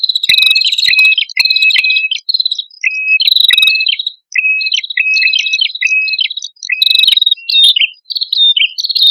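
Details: Lure recording of a singing male and female prinia: rapid chains of bright high notes alternating with lower stepped whistles, almost continuous, with occasional brief breaks and scattered sharp clicks.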